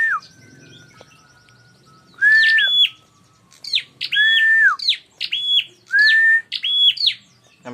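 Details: Bar-winged prinia calls used as a lure to provoke fighting: loud, sharp chirps repeated in quick pairs, each a bright sliding note with a higher overtone, after a quiet start with a faint steady tone.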